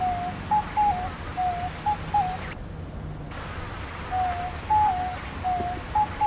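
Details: Diamond dove repeating soft, pure whistled coo notes in short pairs and phrases, some stepping down in pitch, broken by a brief silent gap. Steady low hum underneath.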